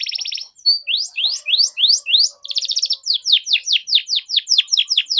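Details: Long, energetic canary song used to train young birds to sing: a buzzy trill, a string of rising whistled notes, another short trill, then rapid repeated downslurred chirps.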